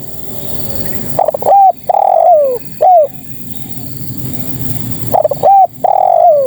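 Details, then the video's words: Female spotted dove calling males with two phrases about four seconds apart; each begins with broken notes, then a short coo, a long coo sliding down, and a brief final coo. "Suara Terkukur Betina Memanggil Jantan"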